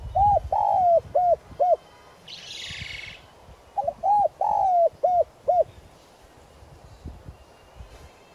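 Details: Decoy spotted dove giving its calling coo to draw wild doves: two phrases of short hooped coos with one longer sliding note, separated by a pause with a brief rustling noise.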